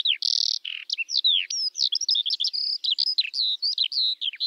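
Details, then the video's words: A Eurasian skylark (Alauda arvensis), the kiuru or leivonen, pours out a dense, high warbling song that opens with a harsh buzzy note, then runs through rapid chirps, falling whistles and twittering phrases. "Kiurun / Leivon laulua | Skylark Singing"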